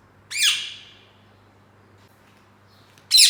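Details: Caged ringneck parakeet with one harsh descending squawk, a long quiet gap, then the start of another loud call.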